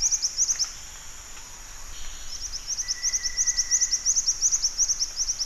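Black-winged flycatcher-shrike giving thin, very high chirps in quick clustered bursts, nearly three a second, over a steady insect-like hiss and a brief whistled tone.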